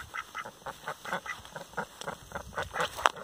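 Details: Rouen duck at a breeding farm giving quick, evenly spaced nasal quacks, roughly four per second, with a sharp click near the end.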